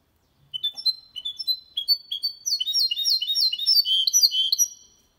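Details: Goldfinch-canary mule singing cleanly, played to encourage males to sing and young birds to learn; clear whistled notes accelerate into a continuous, bubbling high trill with dense twitters before stopping abruptly.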